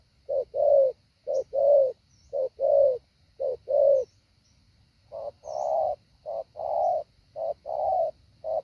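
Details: Spotted dove kept as a decoy bird, practising a patterned 'hạ bổi' calling style: low, mellow coos in short-then-long pairs, roughly one per second, with a brief pause midway and a faint steady high hiss behind.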